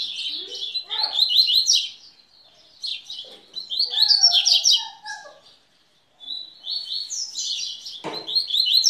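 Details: Coleiro (Double-collared Seedeater) delivering fast, high twittering song phrases with trilled runs, broken by a silent gap, plus some lower chirps and a brief sharp knock near the end.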